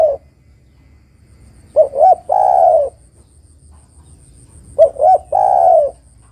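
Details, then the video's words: Female spotted dove calling to the male: low, soft cooing phrases, each two short clipped coos followed by one longer drawn-out coo, repeated about every three seconds over a faint low background hum. "TEKUKUR BETINA MEMANGGIL JANTAN ini PALING PANDAI membuat TEKUKUR JANTAN bunyi"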